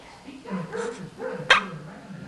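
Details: A male pet monk parakeet, indoors and practising words, talks: a couple of short, throaty speech-like syllables, then a sharp click, with soft household quiet behind.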